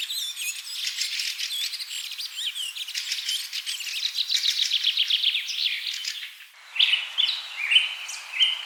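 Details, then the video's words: Birds chirping in a forest: dense, overlapping high twittering and trills run continuously, then a switch to sparser, shriller whistled notes over a steady hiss. "Bird Chirping Sounds-Birds Chirping in the Forest"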